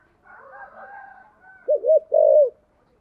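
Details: Spotted dove cooing in the deep 'thổ sấm' voice style, 'thúc gù' delivery: a faint hum of higher tones first, then two loud, low, arched coos near the end.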